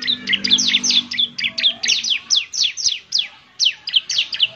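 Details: Bar-winged prinia lure song, moderately fluent: rapid, high, downward-slurred chirps in a busy run, briefly pausing before resuming, with a faint low hum beneath.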